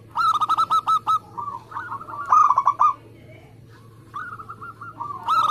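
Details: Singing local zebra dove, fast and tight contest-style delivery: a rapid burst of clipped cooing pulses, a lower rolling phrase, another quick burst, then softer coos before a final loud run begins.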